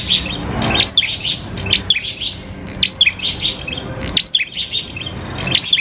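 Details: Lively prinia song meant to coax prinias into singing: busy runs of thin, high chirps and rising whistled notes, delivered in phrases about a second apart against faint low hum.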